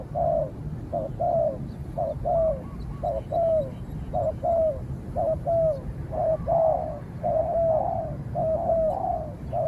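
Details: Spotted dove duel between a caged decoy and a cautious wild rival that keeps its distance before being driven off. Mellow coo phrases, each ending in a longer slurred note, come in regular bursts about every second.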